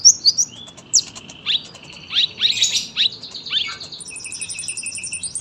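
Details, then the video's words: Sunbird song with high downslurred whistles and sharp chips, followed by a long rapid ticking rattle at very high pitch that runs to the finish. "KOLIBRI GACOR PANJANG SUARA RAPET"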